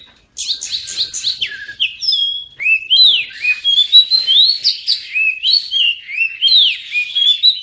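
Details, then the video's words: Oriental magpie-robin singing a rich, varied song. It opens with quick high chirps, then runs into a steady stream of sweet whistled slurs, rising and falling notes, with short phrases repeated about twice a second. "Kacer pasti nyamber dan gacor klo dengar ini"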